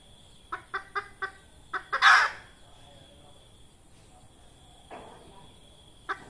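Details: Red junglefowl hen, call used to lure wild junglefowl for trapping: six short, evenly spaced clucks, then one loud harsh squawk, a long pause, a faint rasp and a final cluck; a steady high hiss runs underneath.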